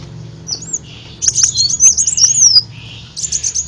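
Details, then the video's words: Olive-backed sunbird lure song for attracting birds: a brief high whistled note, then a quick run of thin, sliding high notes and clicks, ending in a buzzy high trill. "Ampuh Suara Pancingan Burung Kolibri Daun"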